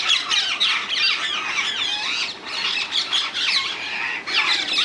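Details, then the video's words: A wild group of rose-ringed parakeets in the Netherlands keeps up loud, harsh, chattering screeches. The calls are tightly packed and overlapping, with brief lulls around two and four seconds. "Indian ringneck parrots in the wild, ringneck parakeets sounds"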